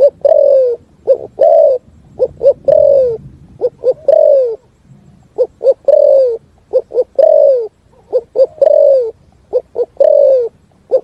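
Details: Spotted dove singing its full song in resonant forest: a long series of phrases, paired short coos followed by a drawn, downslurred coo, with faint low rumbling behind.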